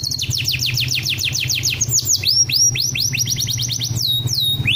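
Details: Canary song: a rapid run of descending whistled sweeps, then slower rising-and-falling looped notes and a sustained high tone near the end, over a faint low hum.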